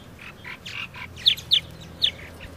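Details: Close purple martin calls: loud, harsh, downward-sweeping chirps in an irregular series, several softer gurgled notes between them, over faint low hum.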